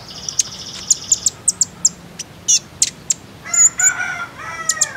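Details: Common iora lure sound meant to get birds singing: piercing high chips at irregular intervals. A band of thin high whistles opens the clip and a nasal, layered burst of notes comes near the end.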